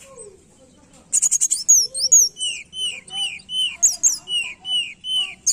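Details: Tledekan lure song to encourage a silent bird: a burst of buzzy trills, then a steady series of clear downslurred whistles about twice per second in a fairly even rhythm.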